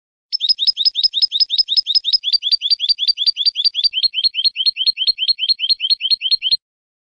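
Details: European goldfinch clean song, 2015, recorded for teaching young goldfinches: a long, steady trill of sharp, repeated chirping notes, about five per second, held for over six seconds and slightly lower toward the end.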